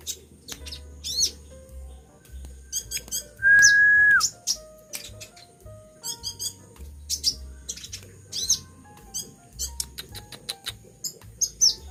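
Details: A captive Brown-throated Sunbird, currently moulting and now singing very actively, sings busy bursts of very high, sharp chirps and trills, with one held whistle in the middle, over soft background music.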